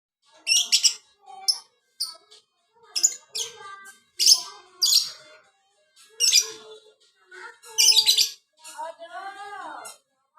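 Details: Lovebird singing in the biola style: a busy, irregular stream of shrill squeaky chirps and sharp high bursts, mixed with a few lower twittering notes, some sliding downward, with brief gaps between phrases.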